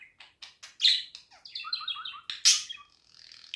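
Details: Caged budgerigar song: a string of short chirps that runs into a descending series of rapid notes, then a loud harsh screech and a thin trailing chatter.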